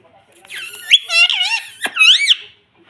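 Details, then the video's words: Pet Indian ringneck (rose-ringed) parakeet, possibly young, talking: high, squeaky speech-like chatter, apparently saying 'mummy', with rising and falling whistled syllables, ending in a sharp upslurred squawk, in a small quiet room. "Indian Parrot talking || baby parrot sound || parrot talking || mummy bolne wala tota"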